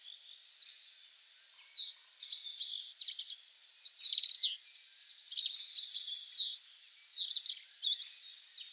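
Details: European Robin song in separate short phrases, each a mix of thin high whistles, fast twitters and sharp notes, with brief pauses between phrases.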